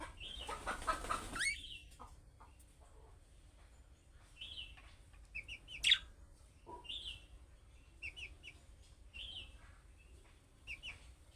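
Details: Budgerigar giving chick-style calling chirps that other budgerigars answer: short, high chirps in small clusters of two or three, repeated every second or so after an opening burst of rougher chatter, with a quiet background.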